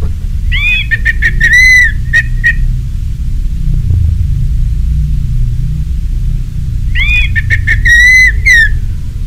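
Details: Two whistled phrases from an orange-headed thrush, in a recording played to spur caged birds into song. Each phrase begins with a rising note, then runs into steady level whistles with sharp ticks, and a quiet pause falls between them.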